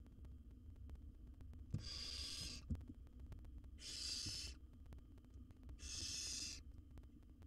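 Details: Nestling barn owl, wild, in a monitored nest box as it gulps down a rat; three drawn-out hoarse hisses about two seconds apart, with faint thumps and steady hum between.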